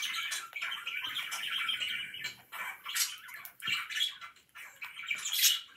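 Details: Budgies chattering softly, with warbled chirps and brief squeaks in a continuous, fairly quiet stream.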